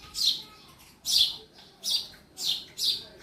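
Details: A sparrow inside a house gives five bright, high chirps at uneven intervals, about one every half to one second, over a faint indoor background hum.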